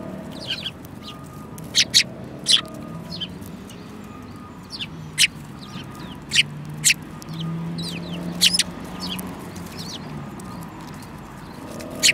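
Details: Sparrows in a group that includes a yellow-beaked bird, 5 February 2018: scattered single high chirps every second or two, with a few quick paired notes, over a faint low rumble and a thin steady tone.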